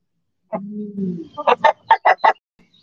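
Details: Backyard chicken in the sun: a drawn-out low moaning note followed by a rapid series of five or six loud, sharp clucks in quick succession.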